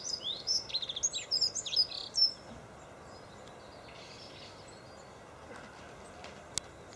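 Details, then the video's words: Dunnock singing in February at Golden Hill Country Park, Freshwater: a rapid, high, jumbled warbling phrase of tinkling notes lasting about two seconds, followed by quiet background with faint distant bird calls. "Dunnock singing"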